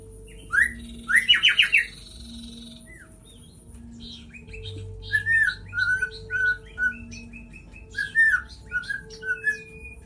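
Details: White-rumped shama song, played to provoke a bird into agitation: harsh chattering bursts at first, then varied clear whistled notes and quick trills, with a steady low electrical hum underneath.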